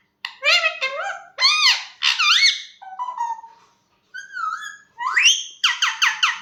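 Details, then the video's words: Pet parrot talking indoors: a series of squawky, nasal, speech-like syllables with rising and falling tones, short pauses between phrases, ending in quick repeated harsh notes. "mithu talking so cute"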